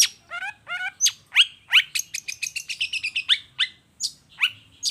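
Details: Lure song of a long-tailed shrike, 'toet toet' type, to get other shrikes calling: two nasal, stacked buzzy notes, then loud rising whistles and a rapid string of short chirps.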